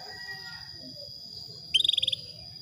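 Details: A female Atlantic canary calls to stir a male toward breeding, giving one short, bright, rapidly pulsed trill near the end after quiet moments with faint background sounds and a constant thin electronic whine.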